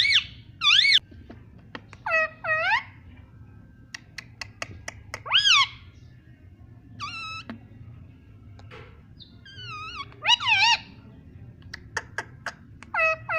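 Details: Chatty parrot repeating "mummy" in imitation of a human voice: separate bursts of arched, tonal syllables spaced a second or two apart, with faint clicks and quiet gaps between phrases.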